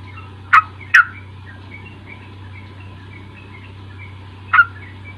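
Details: Sooty-headed bulbul song used as a lure to get a young bird to start singing: a quick pair of sharp, slurred chirps, a pause, then one more chirp. A steady low electrical hum and faint distant twitters sit behind them.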